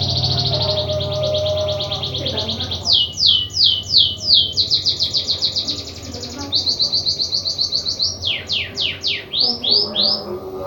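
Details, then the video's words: Unusual song of a white-headed munia: a high, thin trilled phrase, then fast repeated downslurred whistles in bursts, a steady buzzy trill, and a run of sharp descending sweeps, with low background hum. "EMPRIT KAJI ISIAN UNIK"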